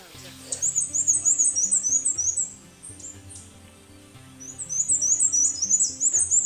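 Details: Black-and-white Warbler, a migrant in the Carolina Crescent, gives two bursts of very high, thin, squeaky paired notes repeated rapidly, likened to a squeaky bicycle tire, over soft low background music.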